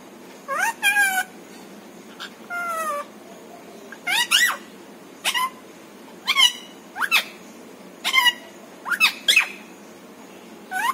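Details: Talking pet parrot, reported to say papa, mummy and other Hindi phrases; a run of harsh, speech-like syllables with rising and falling inflections, in clusters of two or three roughly every second, against low background hiss.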